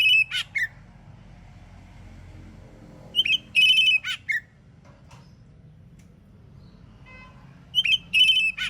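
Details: Oriental magpie-robin singing loudly in the morning to make other magpie-robins answer: a high whistled phrase of quick notes, a long flat whistle and a slurred downward note, repeated about every four seconds over low rumble.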